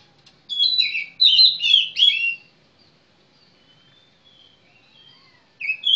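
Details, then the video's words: A magpie-robin (kacer) sings three dense, tumbling warbled phrases close together, falls silent for several seconds, then starts again with a bright whistle. "suara burung kacer mantap cur"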